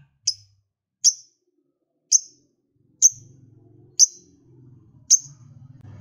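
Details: Lovebird, kept as an energetic singer meant to spur other lovebirds into song, repeats a sharp, very high clipped chirp six times at roughly one-second intervals, with a soft low murmur in the background.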